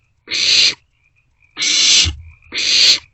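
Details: Barn owlets in a nest box in the small hours of 27 March 2024, sharing a meal. Three harsh, hissy screeches with a longer gap after the first.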